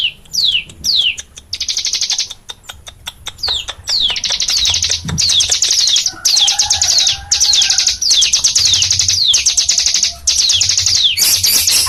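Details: Cigun songbird singing in the 'nembak' style: rapid, high, falling whistled notes mixed with long, dense, buzzy trills that come back again and again, a few lower notes in the middle, and a faint low background hum.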